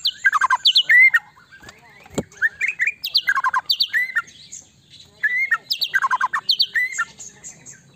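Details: White-rumped shama song played to make another shama respond quickly: rapid bursts of harsh, chattering squawky notes repeated about four per second, interspersed with short rising whistles, in clustered phrases separated by brief pauses.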